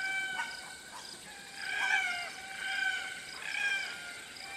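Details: Grating, plaintive squawks of Red-tailed Black Cockatoos in open woodland, Atherton Tablelands, Queensland, Australia; louder calls swell roughly every second, some with a rising-falling shape, while lorikeets and Pacific Koel chatter faintly behind.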